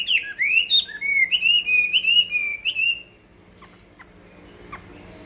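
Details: Chinese hwamei singing in a contest: three seconds of loud, sliding whistled phrases, falling then rising and wavering, followed by quieter, scattered faint notes.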